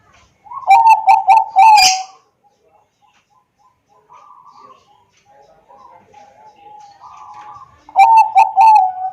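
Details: Bangkok-type zebra dove from Wiradesa, Pekalongan, Central Java, phone-recorded as a lure to get other doves singing: a quick stuttering phrase of clipped coos, a pause with soft murmurs, then the phrase repeats.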